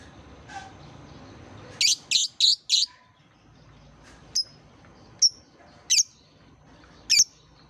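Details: Lovebird song used to draw out young learners: four quick harsh high chirps in a row, followed by single sharp squeaks spaced roughly a second apart, with faint hiss behind.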